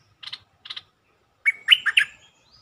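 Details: Bulbul singing on a lure track played to make birds excited: two short scratchy chirps, a brief gap, then a bright, bubbling phrase of rolling whistled notes.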